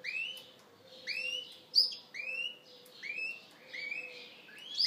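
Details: Yorkshire canary cock trying to attract the hen: short bursts of rising whistled notes with high chips, repeated about once a second, separated by brief pauses. A faint constant hum runs beneath.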